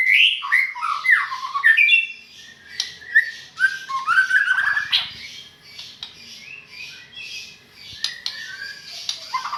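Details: White-rumped shama singing a varied run of loud whistled slurs, chattering notes and sharp clicks, busiest at the start, then softer scattered phrases amid a noisy background.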